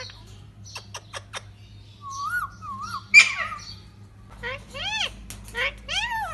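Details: Lutino yellow Indian ringneck parakeet kept as a pet, making soft clicks and a wavering whistle, then a burst of rising and falling nasal squawks, some sounding almost like talking, in a quiet indoor room.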